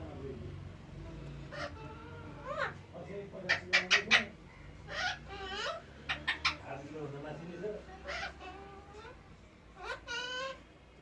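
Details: Talking parrot, also shown dancing, producing a run of speech-like harmonic phrases with bright clicky bursts and warbling whistled notes, loud syllables clustered around the middle, with low room hum underneath.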